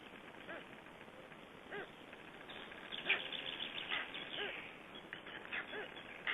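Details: Black stork at its nest in Estonia in 2012, returning to its just-hatched chicks; short curving nasal notes repeat irregularly every half second or so, some doubled, over a steady background hiss.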